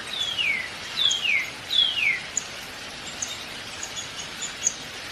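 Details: Three loud, descending squeaky notes from a downy woodpecker, evenly spaced under a second apart, then scattered faint high ticks over quiet ambient noise.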